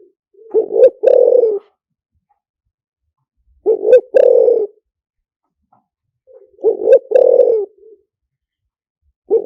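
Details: Spotted dove decoy song in the luring style called lio tan: low mellow coos, each phrase two short rising notes then a longer buzzy coo, repeated about every three seconds in a quiet setting.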